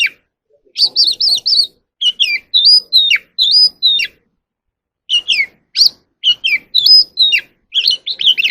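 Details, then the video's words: Oriental magpie-robin singing and dancing in the evening: groups of loud, sweet whistles sliding down and up, given in quick clusters. A silent gap of about a second separates the phrase groups, and the background is clean. "kacer alam | Choè than hót múa buổi chiều tối เสียงนกกางเขนบ้าน"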